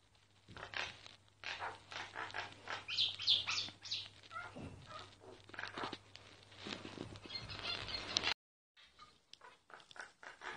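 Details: A myna's song, recorded unobtrusively: a long, fast stream of scratchy, chattering notes with a few high squeaks, about three or four per second, breaking off abruptly into near silence, over a low hum.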